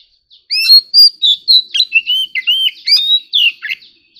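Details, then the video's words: Oriental magpie-robin singing competitively as an ornamental cage bird: a brisk string of bright whistles, looping slurs and short chirps, loud and varied, delivered without pause. "choè than kích hót || choè than hót đấu"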